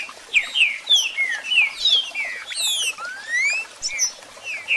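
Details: Green-winged saltator song and calls, played to rouse a captive bird: a busy run of clear downslurred and rising whistles, some overlapping, with a long upward sweep near the middle and faint background hiss.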